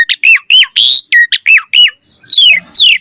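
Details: Asian pied starling giving quick repeated hooked whistles interrupted by a harsh rasp, then long clean downslurred whistles.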